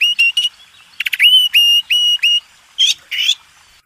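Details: White-rumped shama master song for contest birds: clear level whistles repeated in a series with short stuttered notes, ending with two harsher buzzy phrases.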